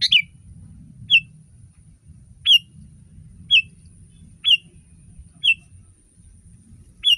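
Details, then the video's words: Sooty-headed bulbul (kutilang) tutor recording used to get other bulbuls singing: sharp whistled notes dropping from high to lower pitch, each a quick two-part slur, given about once a second, with a faint low hum beneath. "Masteran kutilang!!!kutilang paling dicari untuk membuat burung kutilang anda langsung ikut berbunyi"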